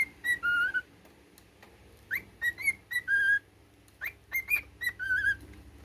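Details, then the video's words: Domestic cockatiel performing a learned military melody, bright whistles that swoop upward then settle into sustained and slightly falling tones, two phrases split by a pause, faint background hum. "Cockatiel singing his military song"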